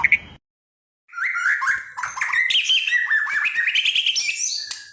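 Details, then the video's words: Medan white-rumped shama delivering a dense, warbling stream of bright whistles and quick trills that rise and fall without a break after a brief opening note and short silence. "Kicauan Murai Medan mantap.."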